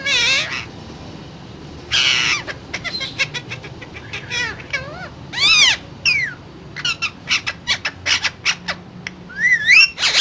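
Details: Talking parrot producing a mix of sharp squawks, whistled rising and falling swoops and speech-like chatter, with several loud bursts separated by short pauses, in a quiet indoor setting.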